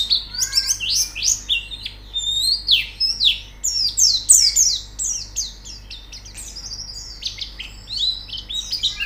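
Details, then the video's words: White-eye training song to get a bird singing: rapid, high, scratchy chattering of steeply falling notes, softer in the middle and then busier again toward the end. "Terapi Pleci Cepat Gacor Buka Paruh"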